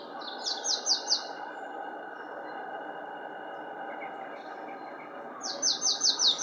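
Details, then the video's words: Singing marsh tit, Linford Lakes Nature Reserve, Milton Keynes, March 2015: two short bursts of four to five clipped, high, descending notes in quick succession, separated by about four seconds of quiet background noise. "marsh tit singing (Poecile palustris)"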